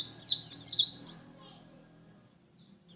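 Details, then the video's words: Lumajang white-eye giving a brief burst of high, rapid chirping notes lasting about a second, followed by near silence and the start of another phrase at the end. "Burung pleci lumajang"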